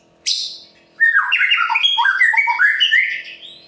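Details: White-rumped shama singing Murai Pastol style, used to stir other birds into singing: one sharp high note, then a dense burst of varied warbled whistles rising and falling.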